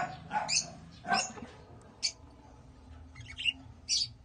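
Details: African lovebirds (Agapornis) kept by breeders give shrill, harsh squawks and chirps in irregular bursts about every half second to a second, over a low background hum.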